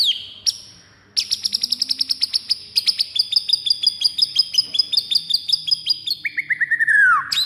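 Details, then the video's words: Fighting song of a white-rumped shama meant to enrage other birds: a rapid, even trill of sharp high notes lasting several seconds, ending in a long downward-sliding whistle. "MURAI FIGHTER PENDONGKRAK EMOSI DIJAMIN NGAMUK DALAM HITUNGAN DETIK"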